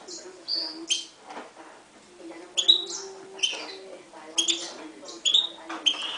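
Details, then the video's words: Song of a 2011 Himalayan goldfinch and canary hybrid, set against a Timbrado canary. Short high chirps and clipped whistled notes come in separate bursts, with quiet low tones between them. "Mule 2011 Himalayan Goldfinch vs canary timbrada"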